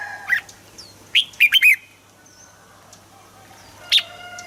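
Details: Red-whiskered bulbul song used for getting birds to sing: a single note, then a brisk cluster of four liquid, slurred whistles, and one last sharp note near the end over a faint hum.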